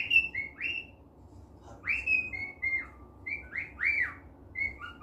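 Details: Cheerful pet cockatiel indoors uttering loud, clear whistled calls, several sharply rising then falling, given in irregular bursts about every second, with a faint low room hum beneath.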